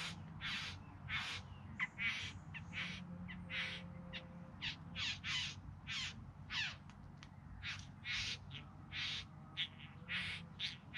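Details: A bowerbird in the Yarra Valley near Melbourne, in September 2020, gives harsh, rasping churrs and hisses during courtship, about two or three a second, over a low steady hum.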